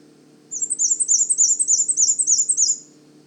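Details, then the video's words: Male Black-and-white Warbler singing faintly over a babbling brook at Manchester Cedar Swamp Preserve, New Hampshire, in spring: a very high, thin, squeaky series of paired notes, about three per second, under three seconds. "Males sing a very high-pitched, repetitive song that lasts about 3 seconds and can vary in tempo."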